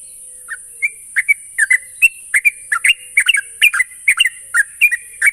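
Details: Sooty-headed bulbul singing as a lure to make an untrained bird sing steadily. Fluty, chattering phrases speed up into a dense run of paired and tripled notes, over constant low-level hiss.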